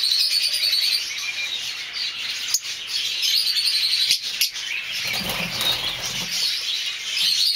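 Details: Group of masked lovebirds, mauve, olive, cobalt and dark-factor violet forms, chattering in a busy stream of shrill squeaks and chirps, with wing flutters and a few sharp clicks partway through.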